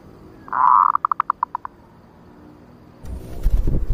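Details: Lure recording of a female zebra dove, 'nutut ngerot' style: a drawn-out soft coo, then a rapid run of short clipped coos, followed by a pause and a burst of low rustling noise.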